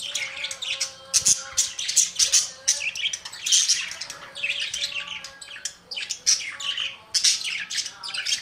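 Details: Budgerigars in busy chorus; rapid overlapping chirps, squeaks and harsh squawks, high and bright, with a low steady background hum.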